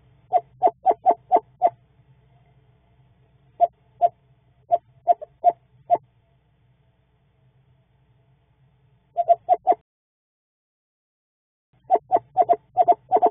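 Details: Eastern screech-owl pair calling to each other in the evening amid nesting behaviour, chattering in quick bursts of four to six clipped, mid-pitched notes with pauses between bursts; a faint low hum underneath.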